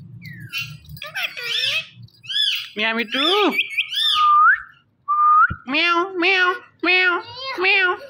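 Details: Indian ringneck parrot talking and dancing, a mix of squawky mimicked syllables, two clear rising whistles, then several nasal meow-like calls in quick succession.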